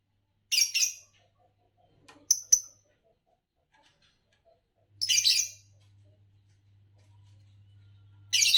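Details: Fischer's lovebird chirping in separated harsh bursts: a scratchy note, two quick squeaks, a longer grating chirp, then another, spaced by silences and a faint low hum.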